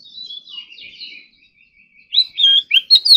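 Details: Oriental magpie-robin, a kept ornamental bird, singing during morning practice. A soft, drawn-out warbling phrase fades, then loud clear whistles with quick upward and downward slurs follow.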